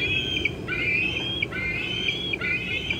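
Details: Young bald eagle squeeing at 4:45 pm on 25 June 2013 near its nest while an adult eats a fish in an old tree: thin, high drawn-out whistles repeated about every second, over steady background noise.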